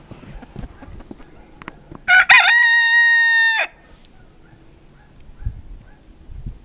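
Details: A Pavlovskaya rooster crows in winter in Barnaul, Altai region of Siberia, November 28, 2015. It gives one loud crow lasting about a second and a half, a broken opening and then a long level tone, with faint clucks and shuffling around it.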